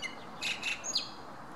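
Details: Common blackbird on 10 June 2017 giving a brief song fragment: a short whistle, then a few high, thin, squeaky twittered notes, soft against faint background hiss.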